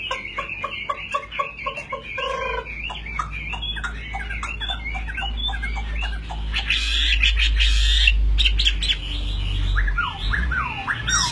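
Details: Caged Chinese hwamei, a fighting bird in display, spreading fully with high wing play, pours out loud, varied, rapid whistled and chattering phrases that grow harsher and stronger midway. Steady low hum underneath.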